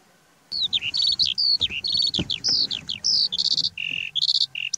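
A Eurasian skylark pours out a fast, unbroken stream of high chirps, trills and slurred whistles, with barely a pause between phrases.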